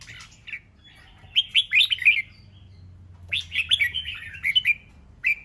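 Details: Red-whiskered bulbul song used to provoke fighting and competition: two bursts of rapid, bubbling whistled phrases around two to four kilohertz, each about a second long, separated by a short pause, with faint low hum beneath.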